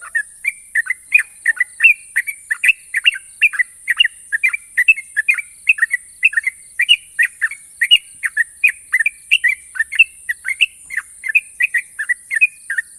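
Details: Sooty-headed bulbul, a national champion songbird, in sustained ropel singing with long, sharp trills: rapid chattering strings of bright whistled notes, each sliding down, kept up without pause over a steady shrill background whine.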